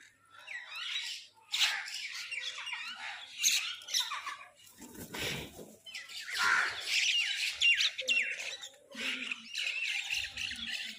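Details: Several crows squabbling over food, their rough, overlapping squawks and caws forming a dense chorus, broken midway by a brief noisy rustle before the calls resume.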